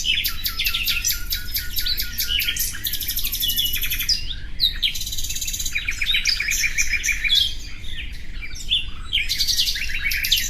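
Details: Nightingale song with long rattling trills and bright repeated notes, separated by a short pause, layered chattering throughout over low background noise.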